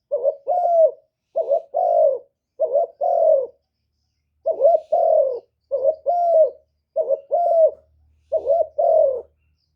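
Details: Spotted dove serving as a lure bird for wild doves, '1 hậu' style. Eight two-note coos, a short upward note leading into a longer falling note, one pause midway and a faint low rumble near the end.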